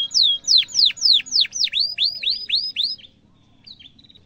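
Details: Canary singing emotive cuit cuit phrases, a lure for young canaries learning to sing: around ten loud V-shaped swooping whistles in steady rhythm, then quiet soft notes at the end.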